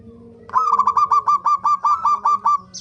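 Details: Zebra dove song played as a lure to make other birds sing: about twelve clipped, rolling notes at a steady mid pitch, roughly five per second, after a low hum and faint background tone.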